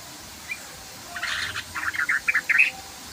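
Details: Sooty-headed bulbul in its long 'ropel' song: a quick, bubbly cluster of chirps that starts softly after a quiet second, then builds into sharper, louder notes.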